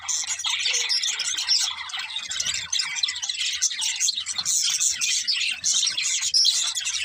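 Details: A flock of happy budgerigars sings and plays, producing continuous high, rasping chirps and fluid warbling chatter, with a faint low hum beneath.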